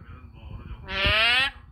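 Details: A four-year-old pet eclectus parrot, sulking, lets out a single loud, harsh, buzzy squawk lasting about half a second after soft indoor background noise.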